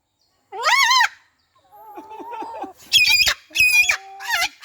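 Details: Orange-crested cockatoo calling: a wavering harmonic squawk, then a softer series of quick nasal notes, followed by three loud, harsh screeches in the last half.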